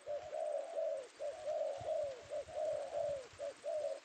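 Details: Male spotted dove (tekukur), newly caught in Indonesia, coos continuously in smooth, slightly falling phrases grouped in twos and threes, with light background hiss.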